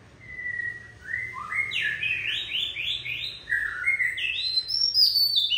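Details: A wild-caught adult Oriental magpie-robin, described as feisty, sings a drawn-out whistle followed by a fast series of rising slurred notes. Higher, thinner chirps come near the end.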